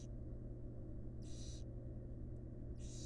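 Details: Wild barn owl at a monitored nest box, a female feeding her fledglings: harsh, breathy hissing bursts, each under half a second, about three in three seconds, over a steady low electrical hum.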